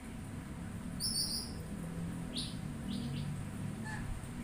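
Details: Oriental magpie-robin giving one loud buzzy rasp, then a few fainter stuttering scratchy notes and a tiny high whistle, with low-pitched background hum.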